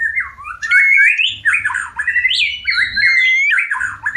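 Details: Breeding-condition white-rumped shama wanting to mate, delivering a continuous stream of fluty, swooping, warbled notes with clear whistled accents and high thin overtones; low background hum.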